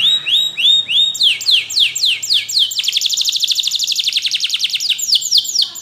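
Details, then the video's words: Training song of a Spanish Timbrado canary, opening with slurred looping notes, then quickening into a long bright rattling trill of rapid repeated syllables before slower sweeping notes return. "Your Canary Will Not Stop Singing With This Training Song"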